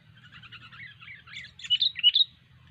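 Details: Sooty-headed bulbul singing prolifically: a soft run of chattering notes builds into two loud, bright whistled phrases near the end, over a low steady hum.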